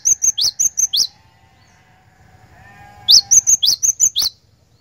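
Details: Java sparrow song for luring a caged bird to sing: two bursts of sharp, high, clipped chirps in fast succession, with tonal upswept notes among them, separated by a quiet gap with a faint thin tone.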